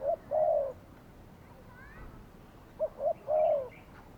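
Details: Spotted dove kept as a decoy for bird trapping on a Saturday outing. Low cooing phrases: a brief note, then a long wavering coo; the phrase repeats after a gap, with faint chirps from other birds between.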